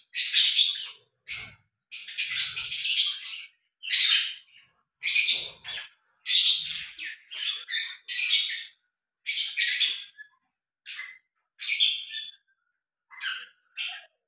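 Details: A mating pair of lovebirds trades sharp, high squawky bursts in a stop-start rhythm, each burst about half a second long with short gaps between.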